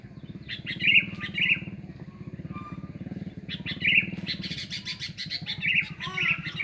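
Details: Sooty-headed bulbul (kutilang), a lively, much-singing bird used as a lure sound. Short bright whistled phrases with quick rising notes come in bursts over a steady low engine-like rumble, with some chattering between phrases.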